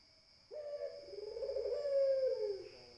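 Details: Barbary dove giving a single long, low coo lasting about two seconds, starting abruptly, holding a steady rolling tone and fading at the end, with a faint constant high electronic whine behind it.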